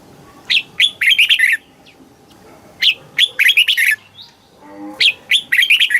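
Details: Thai Red-whiskered bulbul song in the southern master-pattern style, used for rousing and training birds. Three evenly spaced phrases, each a loud lead whistle followed by a fast, cheerful run of falling notes.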